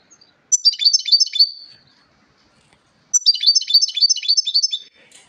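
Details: European goldfinch singing: two bursts of rapid, bright twittering and tinkling notes about a second and a half long, separated by a short silence, the second burst longer and denser.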